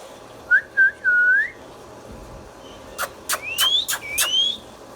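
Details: Indian ringneck parrot kept as a pet whistling two short notes and a longer rising tone, followed by sharp clicks and two high upward-sweeping whistles.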